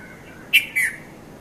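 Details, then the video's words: Red-vented bulbul, locally Konda Kurulla, calling between 5:30 and 5:40 a.m. at Mount Lavinia, Sri Lanka, filmed with a Nikon Coolpix P510: two quick bright chirped notes, the second sliding slightly downward, over quiet background hiss. "Red-vented Bulbul Bird Voice | Sounds of Bulbul | Morning"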